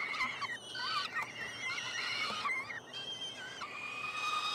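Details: Three peregrine falcon chicks, hatched late May, being fed in a nest box at the University of Montreal, Quebec, Canada, on 21 June 2022; overlapping high, harmonic squealing wails, rising and falling, nearly continuous with brief gaps.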